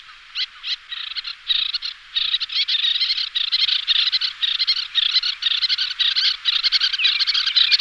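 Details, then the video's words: Continuous little tern chatter: harsh, raspy notes tumbling over one another in an unbroken, uneven stream for several seconds, with no pauses. Used as a decoy call. "Chamariz, Señuelo, Andorinha do Mar Anã, Sterna Albifrons, Charrancito"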